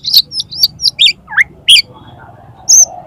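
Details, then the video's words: Oriental magpie-robin, called kacer, in a 'konslet' song meant to provoke another magpie-robin into opening its tail: loud sharp whistled notes and quick chirps in bursts, one falling slur, against faint low background noise. "CUKUP 3 MENIT BIKIN KACER MAU BUKA EKOR PAKAI SUARA KACER KONSLET INI"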